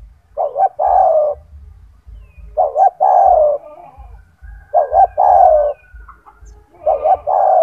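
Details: Loud, strong-voiced pet spotted dove singing as a training model for other doves; four low phrases, roughly two seconds apart, each a clipped double note leading into a sustained sliding coo, with low rumbling underneath.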